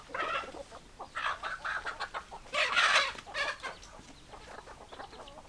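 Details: A group of hens clucking loudly and close: raspy, rapid cackling bursts that rise into a harsh louder squawk near the middle, then settle back to steady chattering clucks.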